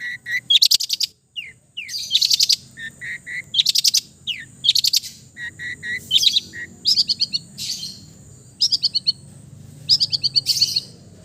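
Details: Long-tailed shrike from East Java giving relaxed, lively song full of mimicked fills: bursts of high, sharp chirp clusters and short buzzy notes repeated in groups about every second, over a faint steady high hiss.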